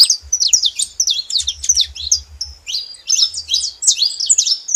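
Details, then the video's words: Saffron finches calling together in a busy chorus of quick, high, buzzy chirps and slurred notes tumbling over one another, with faint low knocking underneath. "Canário da terra junto fazendo barulho"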